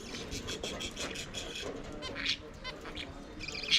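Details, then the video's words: Budgerigars singing and playing together in an aviary: a busy, scratchy chatter of rapid chirps and buzzy notes, with a few sharper squeaks standing out near the end. "Budgies singing and playing in their Aviary"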